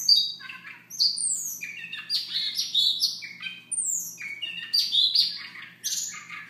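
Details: A Siberian rubythroat delivers a soft morning song: a continuous, rapid jumble of high whistles, slurred notes and scratchy twitters over a faint low hum.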